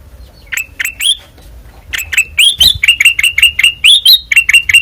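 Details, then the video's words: Ruby-throated bulbul, kutilang emas with white eyes, singing ngeplong: a few spaced chirps, a short silence, then a quickening loud series of bright rising-falling notes. "Suara Asli Ngeplong Kutilang Emas Mata Putih Gacor Dor"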